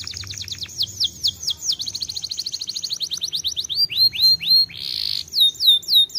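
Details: Canary singing a fast trill of sharp, downward-sweeping high notes, about four per second. It then slows into looser slurred phrases, with a brief buzzy note and further bright swept notes.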